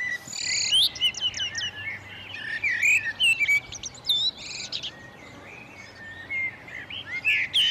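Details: Common redstart singing to defend its territory with a nest while feeding young on insects, May–June 2018: loud phrases of clear whistles and quick varied twittering notes in bursts, with steady high chirping and faint low hum behind.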